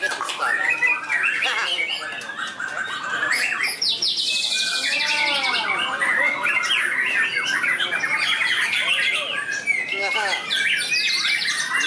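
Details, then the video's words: A trained white-rumped shama sings on a contest field, giving a continuous, varied stream of sharp high chirps, trills and rasping notes, with a brief buzzy burst near the middle and faint chatter from people and other birds behind it. "Murai Batu WARDANA Prospek Lapangan, Isian Mewah Super Istimewa"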